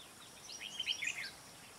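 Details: A red-whiskered bulbul, a large-headed trapping decoy, gives a quick burst of bright, warbling chirps lasting under a second, with a steady soft background hiss.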